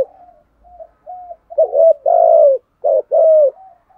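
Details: Captive decoy spotted dove cooing in the 'gù thúc' manner to draw wild doves, 'giọng thổ' voice: soft faint notes build into three loud, round, slightly falling coos, then a quieter tail note.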